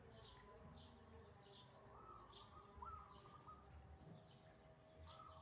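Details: Wild zebra dove in full song outdoors, quiet drawn-out cooing notes rising and stepping along through the middle of the recording, with repeated high short chirps from other birds and a low constant rumble behind.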